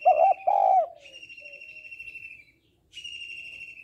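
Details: Female spotted dove calling to stimulate males. A loud double coo opens, and a thin, high, steady whistled tone runs alongside and continues afterward, starting again after a short gap.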